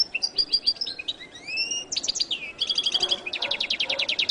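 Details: Goldfinch of the Latin type sings a rapid, high twittering medley: clipped chirps, a drawn-out slurred whistle, then fast buzzy trills repeated in quick series, with a soft background hiss.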